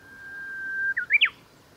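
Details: Japanese bush warbler singing at the Kita-Fuji training area, Japan, on 23 July 2021: one long, steady, level whistle followed by a quick rising and falling flourish of two or three sharp notes; quiet background.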